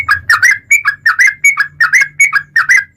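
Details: Energetic yellow-vented bulbul song used as a lure to make other bulbuls sing: a continuous, rhythmic string of gurgling two-part whistled phrases, rising and falling, about three per second, faint low hum beneath.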